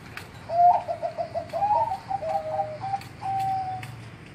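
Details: Zebra dove (perkutut) at a rural spot in Yogyakarta, Indonesia, in the morning: a thick, big, slightly fast, hollow-toned voice giving a soft, rapid run of low cooing notes, then a few longer drawn-out coos, with faint background hum.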